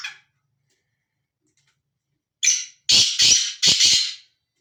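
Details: A wild, free-ranging male black francolin calls once: a brief opening note followed by three harsh, buzzy, rasping notes in a rapid rhythmic burst lasting under two seconds. No other sounds are present.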